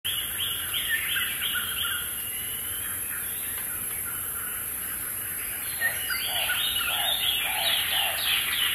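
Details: African hawk-eagle pair in Samburu National Reserve, Kenya, gives runs of clear yelping notes, about three a second, in two bursts with a steady hiss behind.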